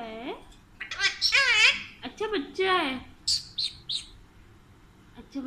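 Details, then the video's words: An Alexandrine parakeet talks indoors in short, speech-like phrases with swooping tones, then gives a few sharp, high chirps. "Sweetest Talking parrot Alexandrine"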